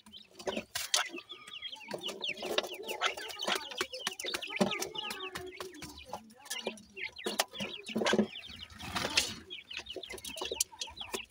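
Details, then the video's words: Partridge chicks (bhoray teetar babies) calling: many short, high peeping chirps, rising and falling, scattered densely throughout alongside clattering knocks and rustling. "bhoray teetar k bachay,pheasant bird chicks ki voice,partridge babies"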